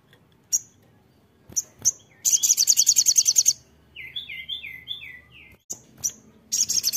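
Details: Energetic song of a crimson sunbird: sharp high chips, then a fast, ringing trill. A run of quick descending whistled notes follows, and the song ends with renewed high trilling.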